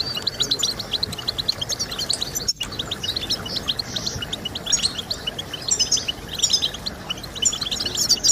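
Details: European goldfinch chorus meant to prompt birds to sing: lively overlapping chirps and twittering trills, a brief dropout midway, then continued bright, rapid high notes over low hiss.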